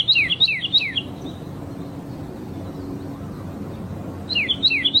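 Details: Red-crested cardinal singing outdoors in nature: two bursts of rapid, sharply falling whistled notes separated by a few seconds of soft background noise.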